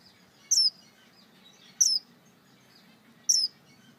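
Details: Male Star Finch calling for his mate: three short, high, sharp, slightly descending chirps, spaced about 1.3 to 1.5 seconds apart, over a quiet low hum.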